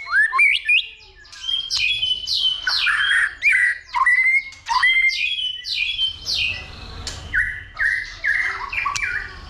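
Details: White-rumped shama, caged, stimulated by a female into fighting song: loud varied phrases of sharp whistles, rapid chattering notes and slurred rising and falling figures, delivered in quick bursts with brief pauses, strongest early then slightly softer.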